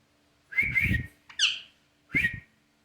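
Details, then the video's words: Parrot talking: three short raspy, whistle-toned bursts within three seconds, the middle one higher and briefer, with a faint low hum underneath. "Parrot kaise baat karta hai"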